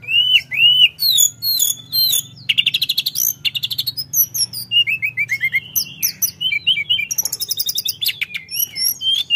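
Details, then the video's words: Sunda forktail (tledekan gunung) in full song, opening with looping whistled phrases, then a rapid ticking trill and a string of bright chirps and slurred high notes, about two per second, with a soft low hum. "Tledekan Gacor Dorrrr"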